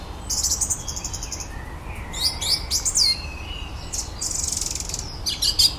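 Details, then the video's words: Evening song of a garden common blackbird with a repertoire of electronic noises: thin, high, buzzy sustained tones and quick squeaky sweeps, with gaps between phrases, fairly quiet against a steady background. "Blackbirds wonderful repertoire of electronic noises."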